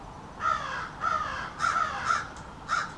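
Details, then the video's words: Backyard American crow family conversing: five raspy caws, the first pair drawn out, the later ones shorter and sharper, individual calls differing slightly. "American Crows Calling"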